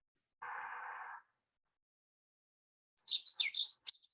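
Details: A Dunnock gives its breeding-season song, a quick, high, twinkling warble lasting about a second, preceded by a brief, breathy hiss.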